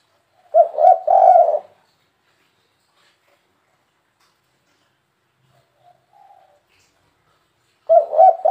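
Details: Spotted dove with the 'kuk 3' style coo, played to bring in wild birds. A three-note husky phrase, a long near-silent gap with faint soft notes, then the phrase begins again.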